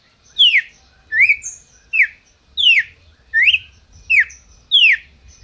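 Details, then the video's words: Red-crested cardinal kept in captivity by a licensed Brazilian breeder repeats a clear downslurred whistled note steadily, about seven times in five seconds, with a faint high thin note between some of them and a low rumble behind. "Cardeal MAQUINA chamando e cantando"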